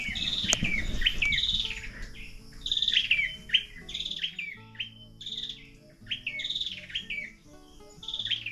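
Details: Birds calling on a provincial morning in Negros Oriental, among them alimokon, tukmo, pirok-pirok, kukok and punay: rapid high chirping phrases with falling whistles, a thump near the start, steady low hum throughout.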